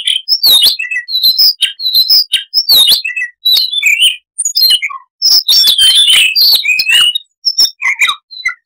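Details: Long, varied babbling song of a Siberian rubythroat: continuous high chirps, whistled slurs and scratchy notes packed into dense phrases with brief breaks, no background sounds.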